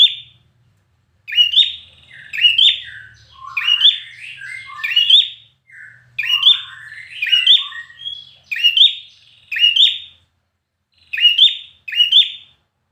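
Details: Trained red-whiskered bulbul singing for competition, a lively run of chirpy rising phrases mixed with lower gurgling warbles in the middle, then spaced paired phrases toward the end.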